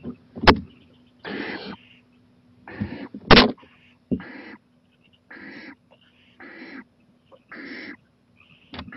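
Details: Owl at night on a porch, 11:26 pm, 23 April 2018. Hoarse hissing screeches come irregularly about every second, between loud sharp knocks and a steady low hum.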